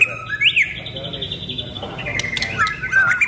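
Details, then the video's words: Pastol-type white-rumped shama, kept as a would-be contest champion, sings a quick upswept whistle, a short pause, then wavering whistled phrases, over a low hum with faint background noise. "Burung Murai Batu Pastol Calon Juara"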